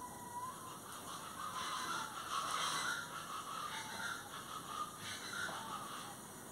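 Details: Raucous, scratchy plain chachalaca calls repeat rapidly and unevenly over about six seconds, loudest in the middle, with steady background hiss.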